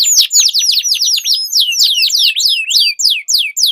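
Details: Canary duel song, long 'ngerol' roll meant to stir silent birds into singing: quick chains of high curved whistles, about four per second, in loud bursts with brief gaps.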